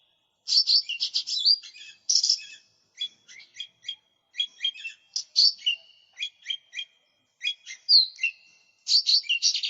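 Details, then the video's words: Persistent song of a lesser green leafbird, recorded as a lure and tutor track: dense twittering flourishes open, then spaced bright chips and short whistled slurs repeat in uneven groups over nearly ten seconds. "Cucak Ijo Mini Gacor, Suara Pikat, Masteran"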